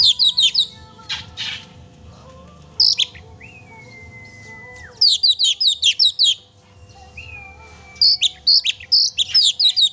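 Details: Oriental magpie-robin singing strongly to provoke a pet magpie-robin: clusters of fast high chirps alternating with long level whistles that slide down at the end, repeated across the passage.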